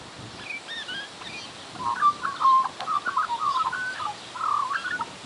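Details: Garden magpie, semi-tame, mimicking a horse: a faint high twitter at first, then a busy string of chattering, wavering notes in the middle register and short gaps between phrases.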